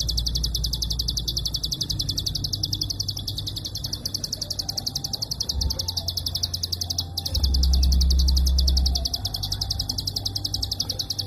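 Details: Prinia klik call, long dense bursts meant as master recording for training songbirds: rapid, evenly spaced high clicks running nonstop for the whole stretch, over a steady low rumble.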